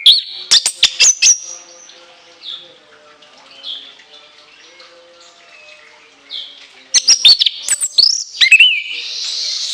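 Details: Orange-headed thrush song with shrill whistled shots: bright, high ringing notes in quick bursts at the start and end, separated by quieter, softer phrases.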